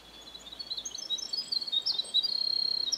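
Winter Wren singing a long, rapid tumble of high, bubbly notes and trills, mixed warbles giving way to a fast, even run near the end.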